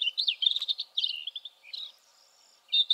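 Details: Rufous-tailed scrub robin, named Spain's bird of the year, a species threatened by intensive agriculture replacing traditional crops; a rapid run of sweet, varied warbled notes, a brief pause, then a new phrase beginning.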